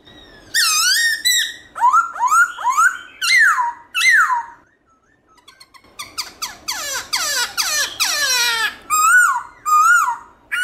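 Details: A Black-throated laughingthrush sings in the morning, pouring out loud, varied wild-type song: rich ringing whistles and quick downslurred notes in bursts of about a second, with one short pause midway.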